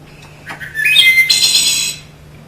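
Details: Wood thrush (Hylocichla mustelina) singing one song phrase at normal speed: quick, pure whistled tonal notes rise, then end in a sharp, buzzy, percussive trill, all in under two seconds, with faint room hum beneath.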